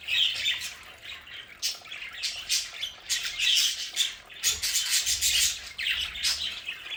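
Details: Pet budgerigars in a home play area, a flock of caged budgies chattering: dense, harsh squawks and scratchy chirps in overlapping bursts, with frequent loud peaks throughout.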